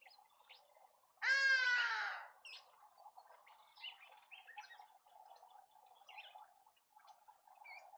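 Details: Karoo thrush (Turdus smithi) in a suburban garden in Pretoria, South Africa, gives one loud, harsh, nasal call note of about a second, with faint chirps of other birds and a steady background murmur.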